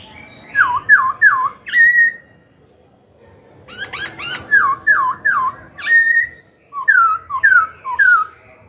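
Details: Black-throated laughingthrush song meant to provoke rival newly caught birds and train young birds: repeated dipping, bell-like whistles in groups of three, with rising stacked phrases between, pausing briefly between bursts.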